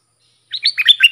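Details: Dok Taeng bulbul song used for training young birds. After half a second of silence comes a short burst of quick, mellow whistled notes that dip and rise.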